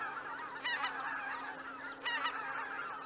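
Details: Roost departure of greater white-fronted geese at Miyajima-numa in 2023. Two louder bursts of high, laughing honks stand out about 1.4 seconds apart over a continuous murmur of flock calls and a low steady hum.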